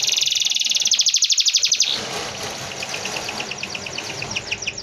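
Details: Canary song of the dense rolling kind used for tutoring: a loud, rapid pulsed trill for about two seconds, then softer repeated chips under a wash of hiss.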